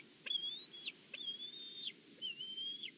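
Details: Bald eagle calling softly at its Big Bear nest, recorded by a live nest camera: three long, high whistled notes with a quick downward finish, spaced about a second apart, light hiss behind.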